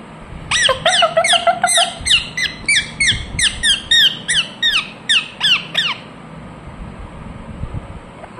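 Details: Ringneck parrot kept at home calling in a long, even series of loud, shrill, downslurred screeches, around three every second, for five seconds, then quiet.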